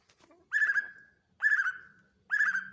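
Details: Three full, mellow whistled notes from a greater green leafbird, each held briefly and slightly wavering, spaced about a second apart over a faint low hum.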